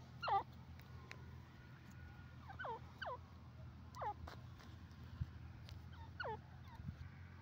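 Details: Grey francolin, also called teetar; a series of short, sharp, downward-hooked whistled notes, spaced irregularly over several seconds, over a steady low hum.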